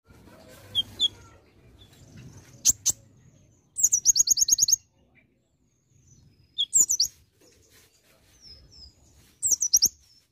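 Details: Olive-backed sunbird in energetic song with varied imitations of other birds: very high, rapid buzzy trills in bursts about a second long, separated by sharp, thin chips and slurred whistles. Faint low background rumble.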